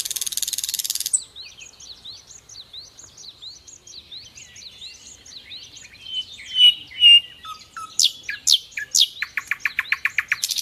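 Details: Nightingale song played as a tutor for caged songbirds: an opening dry rattle, then a long series of soft, repeated upslurred whistles, two loud pure notes, and a closing run of rapid, sharp, accelerating clicks.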